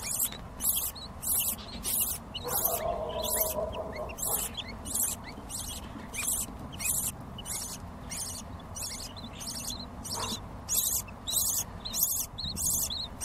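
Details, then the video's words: Hungry baby lovebirds begging: harsh, hissing high-pitched bursts repeated in a steady pulsing rhythm, roughly one and a half per second, with a faint lower hum in the background. "BABY LOVE BIRDS"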